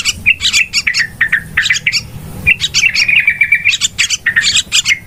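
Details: Yellow-vented bulbul calls used as a trapping lure: clipped chirps and bubbly phrases, then a long slurred chattering run, several birds calling at once.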